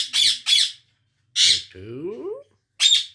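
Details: Indian ringneck parrot, a rose-ringed parakeet, giving harsh, broadband squawks in short bursts: two quick squawks, a longer one followed by a lower, sliding voiced sound, then one last squawk.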